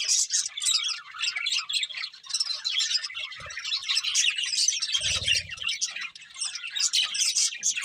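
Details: Chirping budgerigars keep up a steady high-pitched twittering warble throughout, with a short low rumbling knock at about five seconds.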